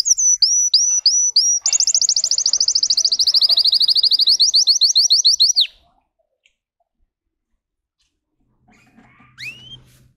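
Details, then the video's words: Russian canary bred for singing, performing a song of high-toned variations: five separate upslurred whistles, then a fast even trill slowly sliding lower for about four seconds, then silence and a faint rising whistle near the end. "Red trees Canary Singing"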